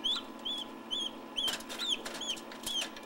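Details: Turkey chicks newly hatched in an incubator in 2006, giving shrill, downslurred peeps repeated about seven times in three seconds over a steady machine hum, with scattered tapping and scratching noises.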